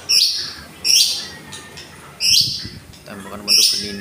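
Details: White-rumped shama from Indonesia, an F-series bird singing tembakan phrases taken from wild forest shamas: four loud, sharp upswept whistled bursts about every 1.2 seconds, with a faint low murmur between them.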